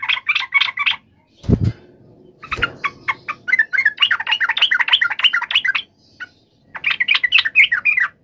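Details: Yellow-vented bulbul, fighting call used to provoke another bird to answer: bubbly chattering phrases repeated rapidly, interrupted early by two low thumping knocks, then a long rolling chatter and a final burst.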